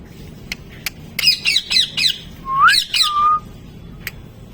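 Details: Parrot talking, indoors: a quick run of harsh, squawky syllables, then a rising whistled note and a level whistle, with a few sharp clicks before and after in a quiet room.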